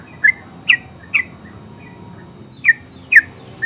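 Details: Yellow-vented bulbul, known in Java as terucuk, giving scattered short bubbly notes in a ngeropel-style song, about six brief liquid phrases separated by pauses, with a gap in the middle and faint low background hum.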